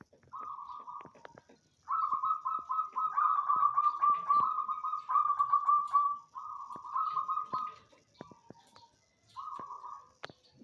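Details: Banyumili zebra dove in a knitted cage singing loudly: a short trill, then a long rolling beaded coo sequence, further phrases and a final short burst, with faint clicks between.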